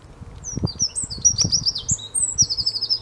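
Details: Eurasian wren pouring out a loud, very high, rapid song of tumbling trills and sharp notes, with a few soft low thumps beneath; recorded 5 March 2015 at De Kleuter, Uden.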